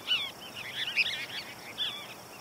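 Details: Group of Cassin's kingbirds communicating atop a hill at El Modena Open Space, Orange, California, a perch-rich insect-catching spot: burry, chattering bursts of high, scratchy notes overlapping in quick clusters, light outdoor background noise.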